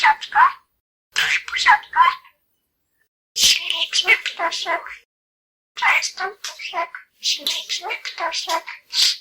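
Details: A male pet budgerigar, a contestant in a Polish talking-bird championship, chatters in short bursts, imitating Polish words in a high, raspy voice, such as 'I am a pretty bird'.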